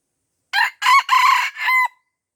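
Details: Aceh red junglefowl crowing while young birds crowd around it and it declines to fight: one loud, raspy crow in four connected segments, the final syllable sustained and sliding down, with no other sounds.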